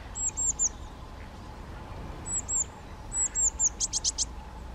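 European greenfinch giving groups of three high, thin chirps, then a quick run of four sharper, rasping notes, over a low steady rumble.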